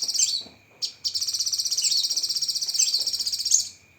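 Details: A Cucak kinoi opens with quick whistled notes, then pours out one sustained, very fast, high pulsed trill lasting about two and a half seconds, over a faint, steady tone.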